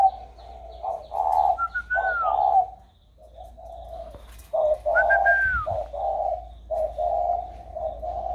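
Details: Warm-voiced spotted dove, recorded 16 February 2020: rapid series of soft throaty coo notes with two brief rising-falling whistled slurs overhead and faint high chirping from other birds in the background.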